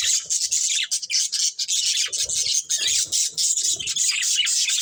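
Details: Budgerigar breeding pair in continuous bright chatter, rapid high chirps and squeaks packed tightly together with brief pauses, plus faint low knocks underneath.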